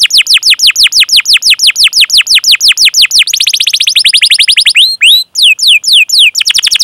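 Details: Canary chirping for training young canaries: a steady series of down-slurred chirps speeding into a fast trill, followed by scattered sweeping notes and another rapid run.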